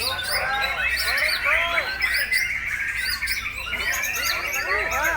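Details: Caged white-rumped shama breeding parent singing nonstop on 26 September 2021; rapid bright whistled and twittering notes, busy chirping of numerous other birds around, people talking faintly.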